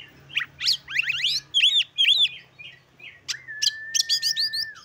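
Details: Oriental magpie-robin singing to excite other magpie-robins into song: clustered rising slurs, wavering double whistles, then a long level whistle under a quick run of high chirps, with a faint low hum behind.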